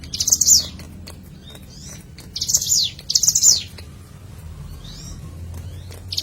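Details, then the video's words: Bar-winged prinia in a natural recording meant to lure birds: three high, dense chattering bursts, one early and two close together midway, with faint distant chirps and a low hum between them. "Pancingan CIBLEK GUNUNG Suara Asli Alam"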